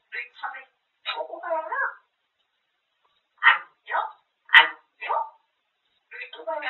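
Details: Pet grey parrot talks continuously about food indoors, producing human-like word sounds: a few quick syllables, a longer phrase, then four separate emphatic words spaced about half a second apart.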